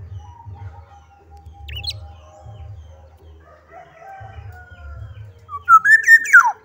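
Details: Black-naped oriole delivering one short, loud, rich whistled phrase near the end that rises then falls steeply. It follows several seconds of quiet faint notes over a low background hum.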